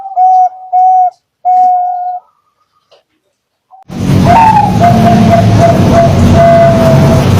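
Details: Zebra dove, Bangkok or local type, sung as a lure to set other doves singing: three clear coo notes, then quiet, then loud rumbling noise with a faint, steady, drawn-out tone beneath it.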